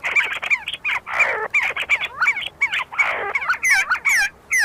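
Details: Several see-see partridges squabbling while foraging at the University of Sulaimani in Kurdistan; overlapping bright whistled notes, some rising and some falling, interrupted by rasping, noisy outbursts, busy and irregular throughout.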